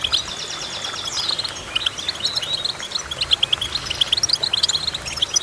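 Goldfinch song: a fast, bright run of twittering notes and tinkling chirps with a few buzzy trills, continuous and high-pitched with no other sounds.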